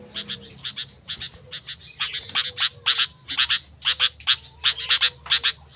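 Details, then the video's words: Sooty-headed bulbul in lively singing, used as a lure for wild bulbuls and as a tutor for kept birds: harsh, buzzy chattering bursts in quick clusters, separated by short pauses, with a faint low hum beneath. "Suara Burung Kutilang Gacor"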